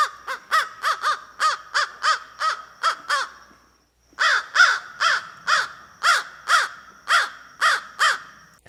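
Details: An American Crow gives harsh, hoarse caws at an uneven pace, each separate and distinct, about nine, a short pause, then about nine more; a very common call when crows are just hanging around.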